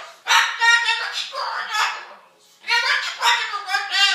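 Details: Pet cockatoo mimicking a couple arguing. It gives two bursts of rapid, rich, speech-like chatter with emphatic rises and falls, separated by a brief pause.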